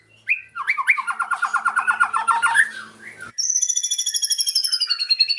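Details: White-rumped shama delivering a pastol song with cililin mimicry: stuttering notes lead into a fast, rattling mid-pitched trill, then a steady, very high rapid trill after a short break.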